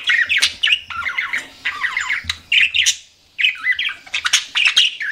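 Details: Pet budgerigars chatter in rapid rolling warbles and squawky chirps, pausing briefly just past the middle before resuming their busy twittering.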